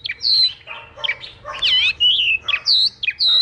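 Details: Chinese hwamei song played to stimulate other hwamei to sing, in Vietnam: bursts of loud, varied whistled notes and quick slurred phrases, rising and falling, separated by short pauses, with a faint low hum beneath.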